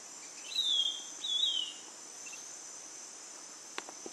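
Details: Ringed antpipit giving a pair of thin, downward-slurred whistles near the start, then falling quiet while a constant shrill insect hum and a few faint clicks continue.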